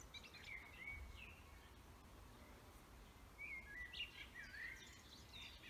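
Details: Wild birds singing in a forest: faint, high whistled chirps and short sweeping notes in two loose bursts, separated by a quieter gap, over a steady low background hum.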